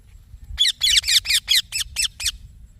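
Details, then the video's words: Young green parrot making a quick series of eight raspy, piercing chirps, slightly falling in loudness toward the end, over quiet low background hum. "Green Baby Parrot Chirping Sounds"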